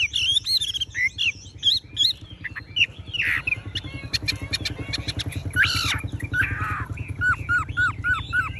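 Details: Tame Chinese hwamei with yellow legs, bill and plumage, singing loud looping whistled phrases and sharp repeated notes over a steady rumbling engine drone, with bursts of harsh rasping notes midway.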